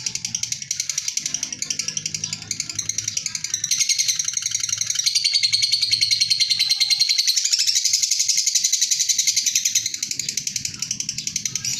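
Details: Lovebird chattering in the long ngekek style: a nonstop stream of shrill, rapid notes that swells louder midway, over a faint low background rumble.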